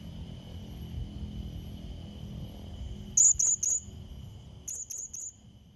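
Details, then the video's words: Rival-challenging lure call of the blue-crowned hanging parrot: a loud triple of thin, very high chips, followed a second later by a softer repeat of three notes, over a low murmur and faint steady whine. "Serindit Pikat Memanggil Lawan"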